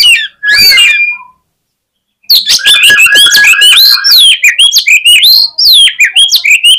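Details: Oriental magpie-robin fighting song, used to provoke rival birds into aggressive singing; a short burst, then a pause, then a loud, rapid run of sharp whistled notes with many quick pitch sweeps and chattering, overlapping phrases.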